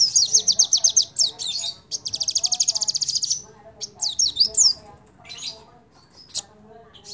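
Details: Crimson sunbird lure song meant to make other birds sing: two rapid high trills, the second held for over a second, followed by jumbled twittering bursts and a few isolated sharp notes.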